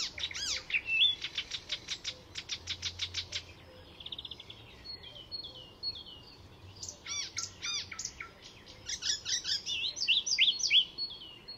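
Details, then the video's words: Icterine warbler in full song at Fysingen reserve, Sweden, incorporating other species' calls: long runs of rapid repeated harsh notes, a short buzzy trill, then a jumble of varied whistles and chatters. "Icterine Warbler in full song; A master of mimicry…"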